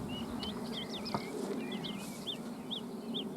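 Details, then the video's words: Bluethroat singing at sunset on a summer evening near dachas and ponds on a river floodplain: varied whistled phrases, rising and falling slurs and short looping notes, over a steady low hum of insects. "Варакушки летом на закате дня. Bluethroat birds."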